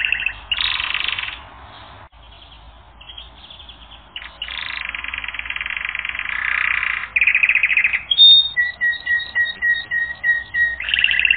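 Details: Canary on a song training record, singing dense buzzy rattling tours separated by short pauses, then a run of rapid, evenly spaced mid-pitched pips and a final harsh trill.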